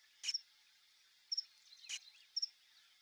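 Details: A male Burnished-buff Tanager, visiting a backyard to feed at papaya and tangerine fruit bait, gives thin, very high double 'tsit-tsit' notes about once a second, with a couple of sharp knocking taps between.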